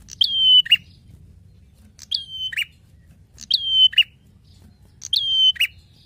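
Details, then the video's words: Prinia singing loudly for use as a training or lure recording for cage birds: four phrases about 1.5 seconds apart, each a sharp note, then a steady piercing whistle finishing in a grating lower burst. "Prenjak Gacor narung Ajib!"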